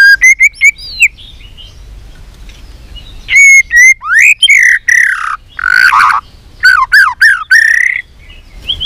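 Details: White-rumped shama singing many voices in fighting song for contests: short whistled bursts, a gap, then loud sweeping rising and falling whistles and rich warbled phrases in quick succession.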